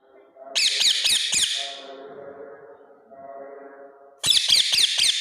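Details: Rose-ringed parakeet (Psittacula krameri), call.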